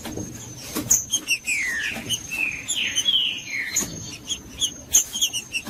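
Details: Song of a green-winged saltator, used to excite a cold bird: a short burst of sweet, downward-sliding whistles in the middle, framed by sharp clicks and taps, with a steady thin high tone in the background.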